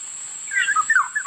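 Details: Black-naped oriole delivering a quick burst of mellow, slurred whistles, several linked notes stepping up and down, over a steady faint high-pitched tone.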